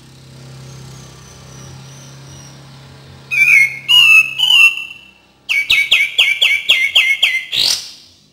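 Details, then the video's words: Cream-vented bulbul, lure recording meant to prompt quiet birds into song: three quick whistled notes, a pause, then a fast series of about eight sharp repeated chips ending in an upward flick. "PANCINGAN DAN TERAPI KAPAS TEMBAK KURANG GACOR DAN MALAS BUNYI"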